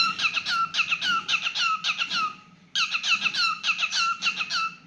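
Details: Cockatiel kept indoors singing cheerful squeaky phrases, downslurred whistles clustered in runs, with a brief quiet break midway before another run.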